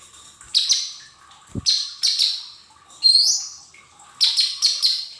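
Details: Training song of a lesser green leafbird meant to prompt caged birds to sing: groups of sharp high chirps and a rising whistled phrase, roughly every second, over a steady low hum.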